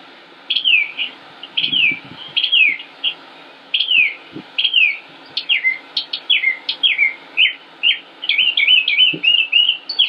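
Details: Northern mockingbird male in Concord, North Carolina, late spring 2016, singing without repeating songs: sharp zigzag notes repeated in sets, speeding into a fast jumbled chatter at the end.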